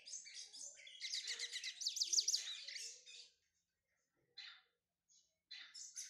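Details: Brown-plumaged Lined Seedeater, a kept bird being warmed up, sings a fast run of buzzy, rattling high notes that builds to a loud trill. The song stops abruptly, then a few short chirps follow after pauses.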